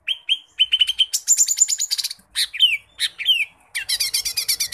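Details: Lesser green leafbird (cucak ijo mini) in lively, mimicry-filled song for training birds: repeated clear whistles lead into harsh rattling bursts, then slurred downward whistles and a closing rapid, chattering trill.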